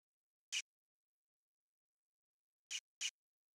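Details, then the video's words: Variable oriole (Icterus pyrrhopterus) calling: three short, harsh, scratchy chack notes, first one and then a quick pair about two seconds later, against silence. "ENCONTRO chamando (ICTERUS PYRRHOPTERUS), VARIABLE ORIOLE"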